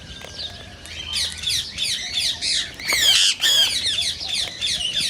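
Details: Rose-ringed parakeet calling to prompt singing and mating in others: quick runs of harsh, bright squawks, nearly three per second, building to a louder burst of screeches partway through.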